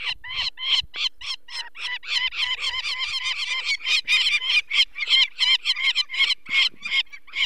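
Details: Alarmed Peregrine falcon at a nest in Poland's Barycz Valley on 2 May 2023 as people take away a chick with eye problems. Rapid, grating kek-kek notes pour out almost without pause, roughly three a second.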